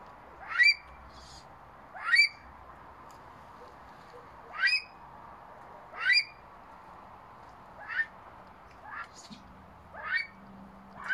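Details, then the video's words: Himalayan monal gives loud, harsh, upward-sweeping calls, about eight in eleven seconds at an uneven pace, over a faint low background hum. "Himalayan monal calling"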